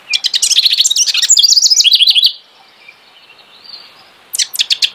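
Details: House wren singing during the nesting season: a rich, bubbly burst of rapid chattering and trilled notes lasting about two seconds, falling slightly in pitch toward the end, then a pause before the next song begins.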